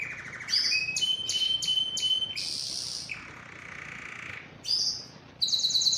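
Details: Belgian canary (Serinus canaria domestica), song: stimulating other canaries to sing and mate.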